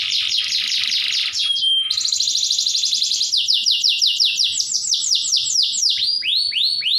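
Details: Canary song full of tembakan, loud, rapid trills: dense rattling rolls of fast repeated notes, a brief thin whistle, then slower series of sweeping notes, with faint low background noise.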